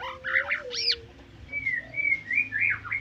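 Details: White-rumped shama singing a short passage: a few loud rising and falling whistles and a sharp upward sweep, followed by a string of clear slurred whistles, over a steady low background hum.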